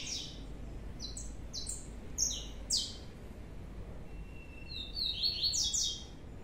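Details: One of two young blue-black grassquit chicks just separated gives high, thin buzzy notes, each a quick downward slur, about twice a second, then a brief steady whistle and a cluster of chips over low hum.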